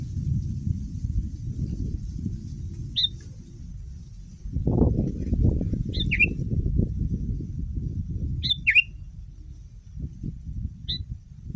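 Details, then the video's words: Sooty-headed bulbul used as a master song for training other bulbuls to sing: short sharp two-note chirps, falling then rising, heard around four times among steady low rumbling background noise. "Masteran kutilang!!!kutilang paling dicari untuk membuat burung kutilang anda langsung ikut berbunyi"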